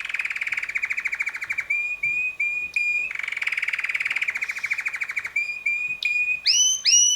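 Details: Red male canary roughly six months old in song: lower pulsed rolling trills alternating with short level whistled notes, finishing with loud rising swoops.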